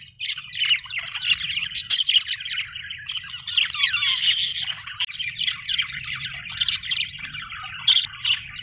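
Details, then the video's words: Budgerigar chirping described as happy: a nearly continuous stream of warbling, scratchy chatter with short sliding whistles and harsh squawks, over a faint low hum. "happy budgie chirping sound"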